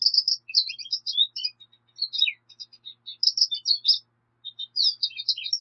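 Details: Continuous twittering from a Black siskin, clusters of high chirps and slurred notes with short gaps, in a quiet setting.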